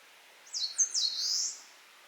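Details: Eastern crowned warbler song: one high phrase of quick, thin sliding notes leading into a drawn-out, buzzy, slightly rising note that fades after about a second. The background is quiet.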